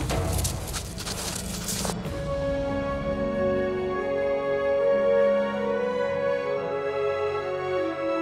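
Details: Orchestral music plays throughout, with sustained tones and a brief burst of broadband noise at the start, and no animal voice.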